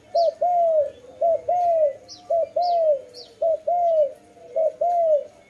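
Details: Dove cooing in steady rhythm: a short clipped note followed by a longer, arched, mellow coo, the pair repeated about once a second, with a few thin high chirps from another small bird.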